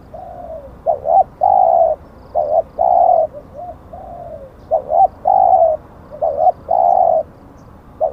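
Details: Spotted dove kept as a decoy for luring wild doves, a bird described as auspicious: mellow low coos in repeated phrases, short doubled notes alternating with longer steady hoots and soft descending tails, with faint background hiss.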